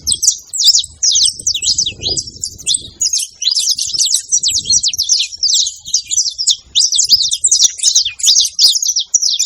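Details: Several saffron finches making noise together: rapid, high, clipped chirps and slurred notes in an unbroken, overlapping chatter, with a little low background sound early on.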